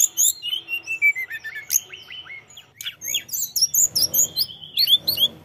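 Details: Sunda robin singing energetically, a long falling whistle followed by quick chirps and a rapid series of bright, looping high notes.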